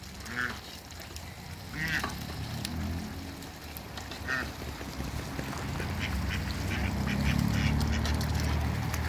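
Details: Two male and one female Pekin ducks on a farm meeting other ducks: a few loud, nasal quacks spaced about two seconds apart over low, steady murmuring calls and a constant low background hum.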